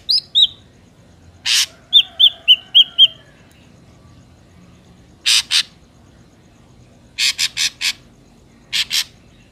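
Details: Ashy drongo, recording from the wild used as a trapping lure: loud harsh rasping calls alternating with a series of descending whistled notes, the rasps sometimes doubled or tripled.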